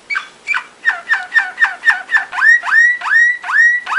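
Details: Belgian Waterslager song canary training song: about a dozen drooping then upslurred notes repeated nearly three times a second, evoking water dripping into a barrel.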